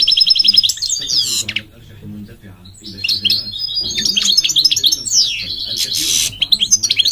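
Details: Singing goldfinch with quick high trills and twitters, a brief pause, then a tumbling jumble of chirps, downward-sliding notes and a harsh buzzy burst near the end.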